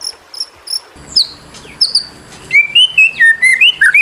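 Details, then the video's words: Shama training song from a white-rumped shama: a few soft high whistled notes, a faint low rumble, then a loud series of clear level and dropping whistles near mid-high pitch in quick succession. "masteran burung murai"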